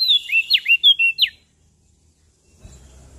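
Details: Short phrase from a Lombok songbird: about seven high whistled notes, down-slurred and sharply inflected, delivered quickly, then quiet with a low rumble near the end.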